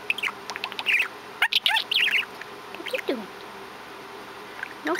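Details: Pet male budgerigar kept at home, about five years old, chattering in short scratchy warbles and squeaky chirps with a few falling notes, while a woman talks to it.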